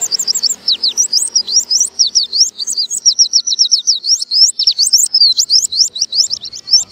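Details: Fast, high, sparkling warble from an oriental white-eye (pleci) in the buka paruh style. Short zig-zag chirps tumble over one another in a steady stream, with quick pulses several times a second.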